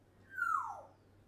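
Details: One-year-old African grey parrot giving a single clear whistle that slides downward and fades within about half a second, over a faint low hum in a small room.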